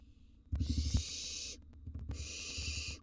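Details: Wild barn owl chicks at a nest box, swallowing a gerbil and mouse: two long, loud rasping hisses, the first over a burst of rapid low knocking and shuffling.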